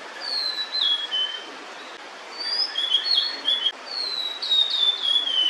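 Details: Female blue-and-white flycatcher, carrying food for her chicks, singing from a perch near the nest. Three bright whistled phrases fall in pitch, each about a second long and separated by brief gaps, over a soft background hiss.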